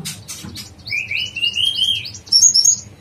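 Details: Yellow-vented bulbul from a songbird training recording in dacok blorok style, a smooth run of warbling mid-pitched notes climbing slightly, ending in a few bright high twittering chirps.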